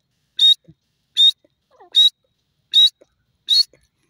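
A grey francolin gives five loud, harsh, high notes, each brief and steady, repeated about every three-quarters of a second against a quiet background.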